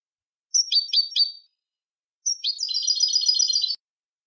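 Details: European goldfinch song meant for tutoring young birds: a few sharp high chirps, then a pause and a fast, continuous twittering phrase, all clean and high-pitched with no background noise.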